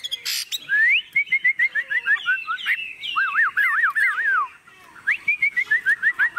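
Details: Caged Chinese hwamei, unafraid as its cage is shaken, delivers rising whistles, a rapid series of repeated slurred notes, deep looping wavering phrases, then another fast repeated run.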